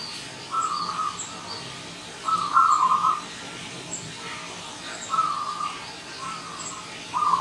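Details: Morning song of a wild local zebra dove: short rolling, burry coo phrases repeated about every two to three seconds, five in all. Tiny high chirps from other birds in the background.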